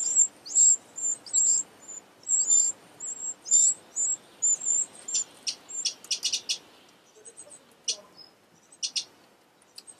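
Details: Eurasian wren family at an oversized nest beneath a pavilion; high, thin squeaks repeat rapidly at first, then give way to quick clicking, ticking notes in clusters, fading toward the end.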